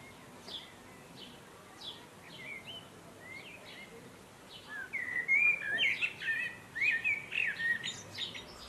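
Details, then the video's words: Blackbird of Asia singing against steady hiss. Scattered thin high notes come first, then a louder run of rich, fluty warbling phrases. "Blackbird Singing / Bird Song"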